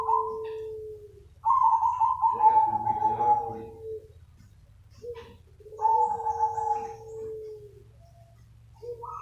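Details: Zebra dove cooing meant to draw in other doves: long, level coos rising and fading in two overlapping pitches, in bursts a few seconds apart, with a constant low hum.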